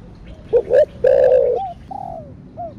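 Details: Spotted dove, named in Vietnamese as cu gáy, cooing in the thổ đặc thúc style: low, hollow notes, one long rolling coo followed by shorter falling hoots.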